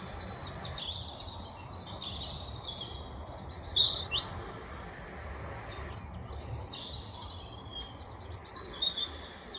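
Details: European robin song from a family of robins in a natural setting: a run of short, high, thin warbled phrases with quick trills and sliding whistles, separated by brief pauses, over low background hiss.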